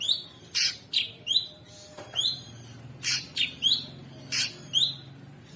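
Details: Sooty-headed bulbul, known locally as cucak sungkok, in masteran audio with harsh 'ngebren' filler for champion songbirds: short upslurred whistles alternating with loud buzzy chirps, spaced about half a second apart.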